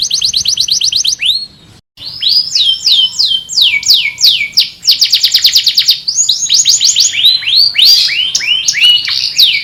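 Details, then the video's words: Master canary song: a rapid trill, a brief pause, then swooping slurred whistles and fast repeated chirps in dense, energetic phrases, with a faint low steady tone in the background. "O SOM DOS CANÁRIOS MESTRE CHAMANDO AMIGOS E BRIGAS"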